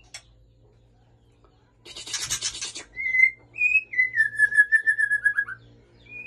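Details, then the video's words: Aceh white-rumped shama, male kept with a female, Ujong Pancu: a short scratchy burst, then a long string of pure whistled notes stepping gradually downward, ending in a few quick falling slurs. "Murai Aceh + Betina Supak Ujong Pancu"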